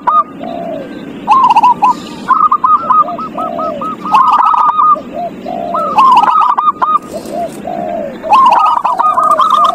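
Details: Zebra dove song to encourage a quiet dove to sing: rhythmic phrases of bright, hooked coo notes alternating with lower, softer slurred coos, repeating roughly every two seconds over a steady low hum.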